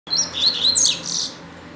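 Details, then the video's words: Caged rusty-collared seedeater, young bird learning its song, held in its cage in hand; a short burst of high, clear, warbled notes sliding up and down. "CANTANDO DE GAIOLA NA MÃO!!! MEU COLEIRO ABRINDO CANTO!!!"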